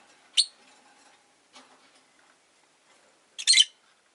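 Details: Rosy-faced lovebird with one piercing high chirp, then near quiet with faint rustles, then a louder rasping burst of two or three quick chirps about three seconds later.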